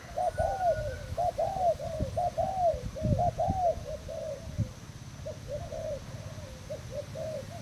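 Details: Thai spotted dove, a tethered bare-lure decoy bird, recorded 18 June 2018, singing a continuous run of mellow rounded coos, roughly one per half second, over low rumbling background noise and faint knocks.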